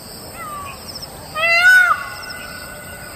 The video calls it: An Indian peacock calling out on a winter morning